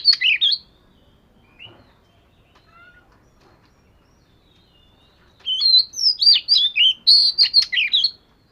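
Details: Oriental magpie-robin in a voice-training session: a short bright phrase, several near-silent seconds with faint notes, then a loud run of clear, quickly varying whistles and trills.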